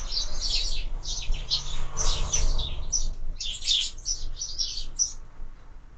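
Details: Sparrows at feeders mounted on a window chirp rapidly in clustered, overlapping short notes for about five seconds, then fall quiet; low background hum underneath.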